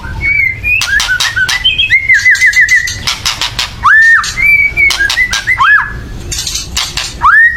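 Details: White-rumped shama giving a loud agitated chattering call, meant to provoke other birds into singing: short harsh broadband rattles mixed with clear whistled upslurred and arched notes, some rapidly repeated.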